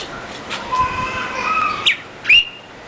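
Northern Cardinal giving two bright, slurred whistled notes, the second louder and sweeping upward, over faint steady tones and light background hiss.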